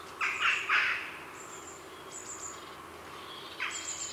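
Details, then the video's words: At an afternoon heronry, a grey heron gives a burst of three rough, croaking squawks in quick succession, then another harsh call after a pause. Thin high bird notes from jackdaws and a blue tit sound in the background. "Grey Heron. Heronry Calls CU In Afternoon; Jackdaws & Blue Tit In Background"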